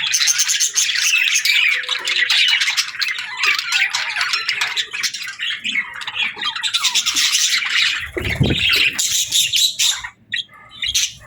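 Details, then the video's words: Happy budgie flock chatter for lonely birds: harsh squawky chirps and warbles run almost nonstop for eleven seconds, with a low thud near eight seconds before the chatter thins out. "Parakeets Chirping for Lonely Birds | Relaxing & Happy Budgie Sounds"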